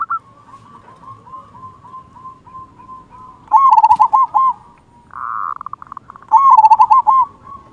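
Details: Zebra dove of local stock singing a big 'kung' song to prompt silent doves: a soft run of evenly spaced coos, then loud fast bursts of staccato cooing notes, with a brief buzzy rush between.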